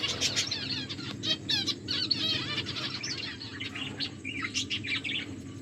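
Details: Several pet finches eating and chirping together: dense overlapping high twitters and short buzzy chirps, bursts of quick repeated notes, with wing flutters and a constant low background hum.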